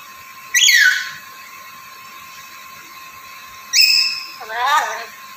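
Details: Black-capped lory calling three times: a falling whistled note, a rising whistle held level, then a lower wavering, chattering sound, with quiet gaps between.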